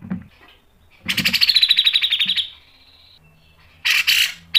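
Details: Grey-cheeked bulbul song used as a lure for training: a long rapid trill of pulsing notes that settles into a steady high tone, followed by a harsh burst.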